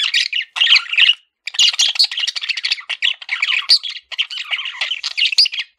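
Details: Male budgerigar, a pet parakeet, chattering in a dense, fast warble of scratchy chirps and squawky notes, broken by short pauses near one and four seconds.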